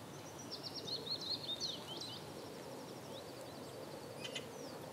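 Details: A male common reed bunting at Brökermersch, Hamm, on 9 April 2017 at 08:30, gives a short, scratchy, jingling phrase of high notes, with a few thin twitters from other birds over a steady rural background hiss.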